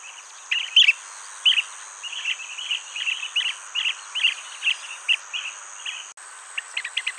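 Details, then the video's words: A Blue-tailed bee-eater at its nest-hole, where the male brings mid-air-caught insects to his mate inside, gives a steady string of short rolling chirps, several per second, over a constant high insect hiss. "Blue-Tailed Bee-Eater"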